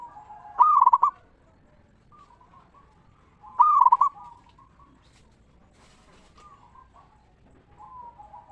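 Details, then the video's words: Ngeristal song from a local zebra dove, played to lure other zebra doves: two strong, pulsing cooing phrases three seconds apart, followed by a run of softer, broken coos. "Perkutut Lokal Gacor RAJA PIKAT Suara Ngeristal Paling Ampuh Bikin Semua Perkutut Nyaut Gacor"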